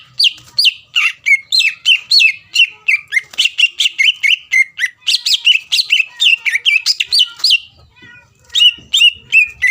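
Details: Rival-provoking song of a greater green leafbird: dense, rapid sequence of slurred whistled notes with high sharp edges, nearly nonstop for eight seconds before a brief pause and a few more notes.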